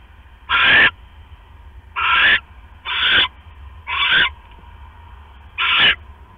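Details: Late-night owl nest, 5 October 2015, with the male bringing a rat and the female quickly eating it before settling on her eggs. Five raspy, noisy screeches at irregular one-second intervals, with a longer pause before the last.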